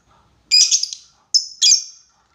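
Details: Lovebird calling a rival, with long ngekek chattering used as a lure: harsh, high, buzzy squawks in three bursts, the first broken into rapid pulses, the last drawn out and fading.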